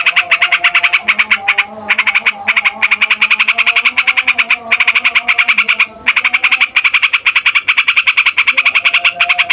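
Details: Long rolling song of a yellow-vented bulbul, used to stir other songbirds and to encourage young or quiet bulbuls to sing: a fast, nearly unbroken stream of harsh buzzy pulses, short gaps near two and six seconds, faint low hum underneath.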